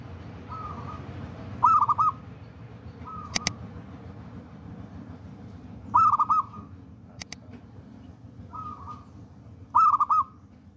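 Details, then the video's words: Local wild-type zebra dove, described as bold and singing vigorously, kept as a lure and tutor bird: rolling cooed phrases near one pitch, each ending in a rapid stuttering trill, about every four seconds, with sharp clicks between. "PERKUTUT LOKAL ALAM GACOR"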